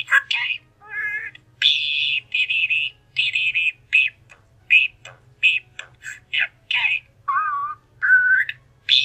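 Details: Indoor pet budgerigar chattering, short warbling bursts and scratchy trills alternating with brief pauses about once a second, some notes slurred and wavering, a few rising whistled tones, in a small quiet room.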